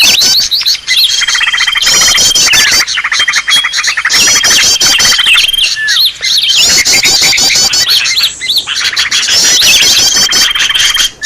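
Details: Noisy green leafbird calling meant for luring birds: busy overlapping chatter of high chirps and rattling trills, broken by short gaps, with a long level whistle recurring through the sequence.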